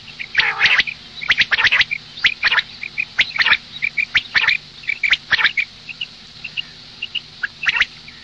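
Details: Female common quail at morning, giving rapid rasping bursts in twos and threes, roughly one per second. Small high-pitched peeps are scattered between them, and the background stays quiet.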